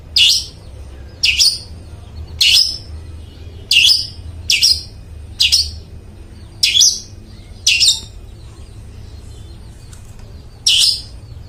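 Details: Long-tailed shrike singing strongly with a clear voice, recorded as a lure for mute shrikes: harsh, raspy downslurred notes given singly about once a second, with a faint low hum behind and a brief pause before the final note.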